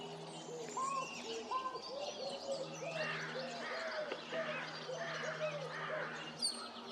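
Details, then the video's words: American crow giving an unusual call described as a "coo-honk", recorded 28 February 2026: a run of low, hollow, upward-arching notes repeated about every half second, while small birds chirp higher in the background. "American Crow making an interesting sound."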